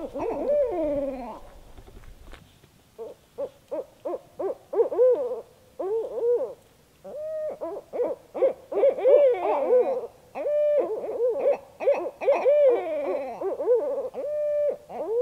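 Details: Two barred owls calling back and forth after dark while camping in north central Kansas, thought to be mating calls; a long excited duet of rapid, bouncing, wavering hoots in bursts, with some low rumble early on.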